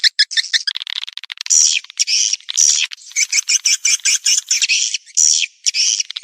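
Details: Swiftlet lure recording used in swiftlet farming, an 'outside' calling sound meant to draw birds in: bursts of high, buzzy chirps and rapid twitters, some with short whistled notes, in quick runs separated by brief gaps.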